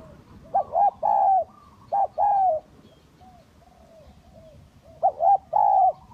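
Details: Spotted doves, kacuk and village types, calling as a lure: mellow cooing phrases of a short note followed by a longer drawn-out coo, given in bursts with pauses, over faint low background hum.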